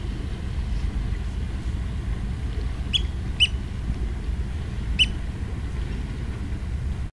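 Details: On a morning beach beside a lighthouse, an oystercatcher gives three short, piercing piped notes, two close together and a third over a second later, above a heavy low roar of wind or waves.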